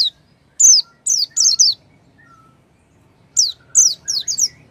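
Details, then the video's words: Oriental white-eye song, used as a lure to coax a silent white-eye into singing: two bursts of very high, thin, sharply falling whistled notes, three or four in quick succession, separated by a short quiet pause. "pancingan pleci macet bunyi dengan suara ini"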